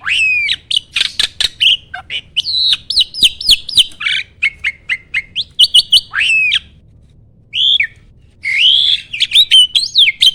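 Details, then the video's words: Starling song for provoking other birds to sing: series of clear whistled notes and clicks repeated in runs, a slurred whistle, a brief silence, then more bright whistled phrases. "MASTERAN BURUNG JALAK AMPUH!!!"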